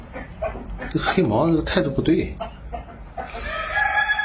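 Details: Village hen calling with loud, uneven clucks and a drawn-out, wavering cackle, then a steady tonal sound in the background toward the close.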